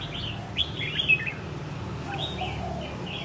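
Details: Red-whiskered bulbul, taken from the wild a year ago and now able to compete. It sings short, clear whistled phrases with a few sharp chirps, spaced out over a low, steady rumble.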